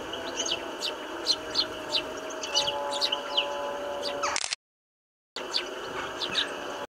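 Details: A flock of house sparrows feeding together in winter, recorded on a Canon 5D Mark III: brief bright chirps repeated irregularly against constant hissing noise, with a faint hum and a sudden break in sound midway.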